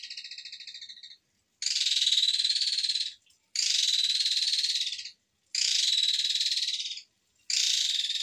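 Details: An Asian pied starling gives long, harsh, rasping bursts, each about a second and a half, repeated with short pauses, high-pitched and grating, with no other sounds.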